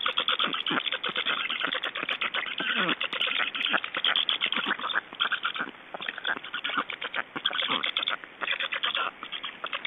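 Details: Black storks in Estonia at the nest during feeding, 24 June 2012 at 10:28; dense, continuous chattering, rasping calls in rapid overlapping bursts, steady throughout with no pauses.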